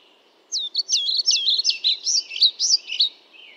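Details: European pied flycatcher giving a rapid, sweet phrase of roughly a dozen high, slurred notes, evenly tumbling for two and a half seconds before trailing into a soft high hiss.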